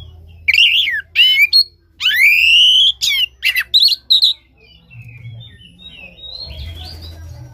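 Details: Oriental magpie-robin song used to stimulate a caged bird that is reluctant to sing: loud whistled phrases, some sweeping upward, others rapid stuttered notes, followed by softer scratchy twitters and low background hum.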